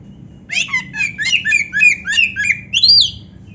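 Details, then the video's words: Oriental magpie-robin tutor song with canary fills: a fast run of harsh, scratchy, repeated chirps and slurred whistles, about three per second, ending in a high rising whistle, over a low hum. "suara Kacer gacor isian komplit"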